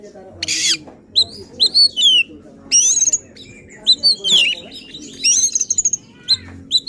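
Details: Oriental magpie-robin singing with agitation to provoke other magpie-robins: opens with a harsh buzzy burst, then clear rising and falling whistles and quick chattering notes in short phrases.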